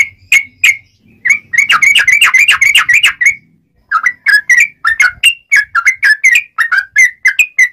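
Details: Sooty-headed bulbul singing a clear, sharp rolling song used to attract wild birds for trapping: steady strings of quick whistled notes, rising and falling, about four per second with a brief gap midway.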